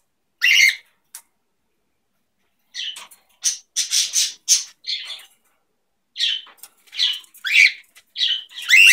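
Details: Two pet cockatiels during their morning routine at home, one bobbing as if dancing; harsh, scratchy squawks come in short bursts, with a quiet gap before a run of rapid, overlapping calls.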